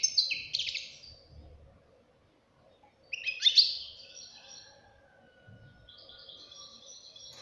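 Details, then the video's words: Young European goldfinch uttering separated bursts of twitters and buzzy notes, with quiet gaps between, faint low thumps and a soft background hum. "غناء فرخ طائر الحسون"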